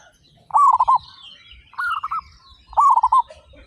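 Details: Zebra doves, local birds, 35 singing with big voices. Three clear trilled coo phrases, each a fast run of four or five soft pulses, separated by about a second of quiet.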